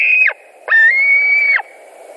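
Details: White-tailed eagle screaming at a Latvian nest, 2 August 2020, amid a carp delivery and fighting; one short whistled note followed by a longer level wail that drops off sharply at its end.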